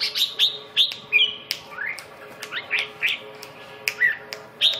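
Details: Red-whiskered bulbul, described as phong sơn, mí đỏ, rơm tê giác, siêu ché, giving short clear whistled notes and downward slurs in separate bursts, with a faint steady low hum behind.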